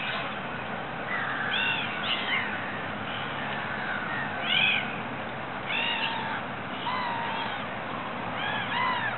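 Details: Ditch-dwelling water rail, Regent's Park: a series of shrill, arched squeals with rich overtones, delivered at irregular intervals, some in quick pairs, against constant low rumbling noise.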